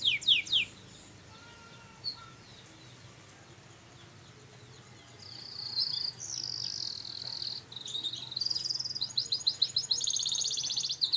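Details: High songbird of a hobby breeding line, quiet at first with a few short notes, then bursting after about five seconds into loud, sustained high trills and rattling phrases that run to the end.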